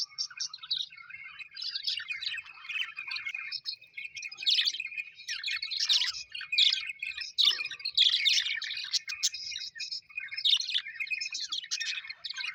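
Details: Pet budgerigars, colourful Australian budgies described as happy, chirping together: dense overlapping chatter of warbled, scratchy notes and bright squeaks, continuous and busy through the whole stretch, with no other sounds.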